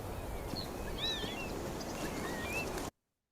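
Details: Northern lapwing (Vanellus vanellus) call, as opposed to its display song, a species vocal year-round and noisy in winter flocks: thin, slurred, wheezy 'pee-wit' whistles, four or five in under three seconds, over a steady low rumble of wind.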